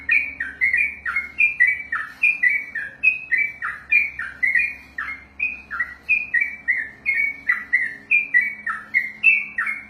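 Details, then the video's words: Continuous whistled ropelan song from a contest-trained sooty-headed bulbul: rapid chains of rich, falling notes repeating roughly three per second without pause, with a faint low hum beneath. "ROPELAN BURUNG TRUCUKAN TERPANJANG DALAM SEJARAH"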